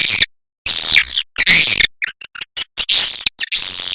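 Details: Swiftlet calls used as a lure: dense, buzzy, high chirping that comes in loud blocks broken by short silences and clipped stuttering bursts.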